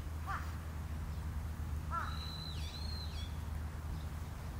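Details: Long-eared owl parent and young on Tsushima. A single high, thin, stretched squeal dips and wavers in the middle. Two short, lower, harsh caw-like notes come earlier, with a deep rumble throughout.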